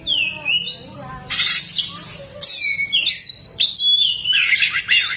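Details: Oriental magpie-robin opening its tail mid-song, including lovebird imitation: descending whistles, then loud harsh noisy blasts and long clear high whistled notes, ending in buzzy rattling squawks.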